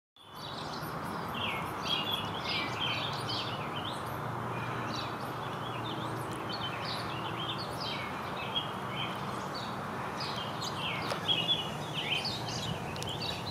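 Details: Warbling vireo (Vireo gilvus) song in a backyard in Downers Grove, DuPage County, Illinois, 30 May 2020, apparently dueling: quick, rambling phrases of burry, rising and falling notes, over a steady rushing hum of distant traffic or wind.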